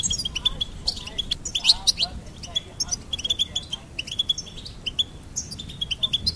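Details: Goldfinch singing a rapid series of sharp, high chirps and tinkling notes in uneven bursts, with soft low background noise.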